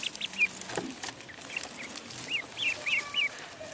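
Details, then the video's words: A duckling in the pond gives a few scattered high peeps, then a quicker run of four or five bright, bending chirps near the end, against soft background hiss. "Duck Sound duckling in the pond -duck quack"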